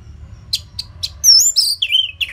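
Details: Short burst of Orange-headed thrush song played to stir quiet caged birds: a few soft ticks, then a loud rising-and-falling whistled phrase sliding into lower slurred notes.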